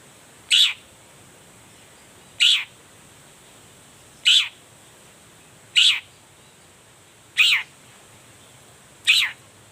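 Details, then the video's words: Morning call of a Long-tailed shrike, played to provoke answering shrikes; single harsh, scratchy notes repeated roughly every one and a half to two seconds, six in all, over a steady high whine. "toet toet Suara cendet gacor Pagi Hari pancingan jitu BIKIN cendet diam langsung nyaut ikutan bunyi"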